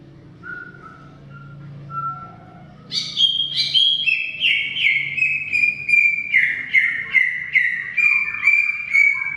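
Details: Greater green leafbird singing at length. A few soft whistles come first, then a loud burst launches a fast chain of bright, slurred whistled notes, each slightly falling and delivered steadily for about six seconds.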